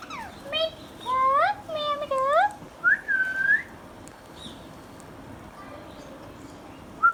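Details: Hand-tame Indian ringneck parakeet talking: quick harmonic, speech-like syllables curving upward, a brief level whistle, then near quiet with a final short note.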